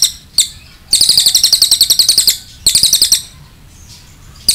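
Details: Cililin 'nembak panjang' training song for other birds: short bursts of quick, sharp, high buzzy notes, a longer rattle of roughly a dozen pulses, then a shorter burst and near silence.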